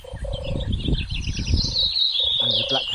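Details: A Eurasian blackcap sings a rich, fast, high warble of varied phrases on a rewilded English estate, with a man talking over it and a low turtle dove purr in the background.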